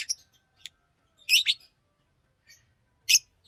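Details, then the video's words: Green Fisher lovebird, a pet, giving a few scattered high squeaky chirps and a loud double harsh note, with a faint low rumble underneath. "Lovebird singing and chirping sounds-Green Fisher"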